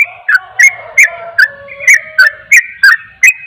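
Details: Sooty-headed bulbul, rapid 'ropel' song that makes other bulbuls agitated: crisp two-part whistled notes, each opening with a sharp tick, repeated about every third of a second over a soft low tone.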